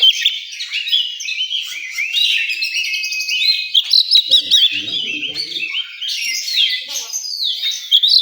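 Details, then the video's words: At a singing contest ground, an oriental magpie-robin pours out rapid, high, warbling phrases of whistles and sharp chips almost without a break; a brief soft human voice is heard in the middle. "Suara kacer di area lomba"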